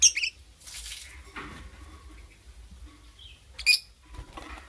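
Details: Lovebird in the morning giving sharp, high chirps: a short burst at the start, then quieter rustling, and another bright cluster of chirps near the end.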